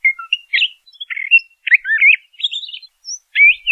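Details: LeConte's thrasher delivering a few wavering, slurred song phrases, some rising and falling sharply, interspersed with short chirps and one thin high note.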